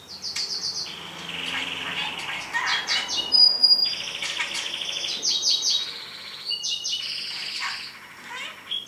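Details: Caged pet parrot talking, heard as a rapid, continuous stream of high whistles, chirps and chattering notes that rise and fall without pause.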